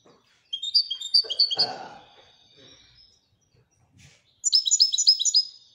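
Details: Royal European goldfinch twittering in high bright notes, interrupted by a low thump or knock, then a lively burst of rapid chirping trills.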